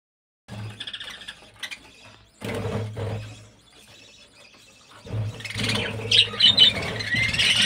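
Budgerigars give quick, high chirps and squawks over a low mechanical hum and bumping noises.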